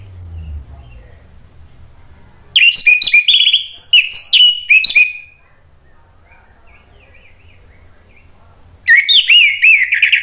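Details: Ngeplong song of an orange-headed thrush, played to coax a non-singing bird into answering: a dense two-second stream of mixed whistles and scratchy notes ending in a falling slur, then near silence, then a fresh burst of warbling.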